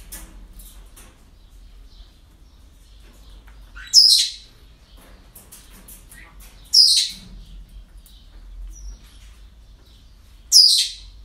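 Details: Parrots at a breeding centre on an ordinary day; three loud, harsh, high squawks spaced about three seconds apart, with quiet faint chirping and low background hum between them.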